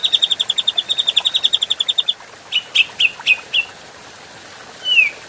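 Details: Grey-cheeked bulbul, adult, in a clean recording made for training birds: a fast run of bright, high chirps, then four spaced sharp notes and a final downslurred whistle.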